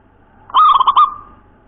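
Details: One rapid burst from a local zebra dove in the 'nropel cowong gowong bening' voice style: a clear ringing coo followed by three or four quick wavering notes, all within half a second, in quiet surroundings.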